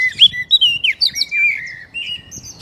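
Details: Oriental magpie-robin (kacer), recorded to prompt a captive bird into singing: a continuous run of clear, slurred whistles, rising and falling, some long sweeping notes and short sharp chirps.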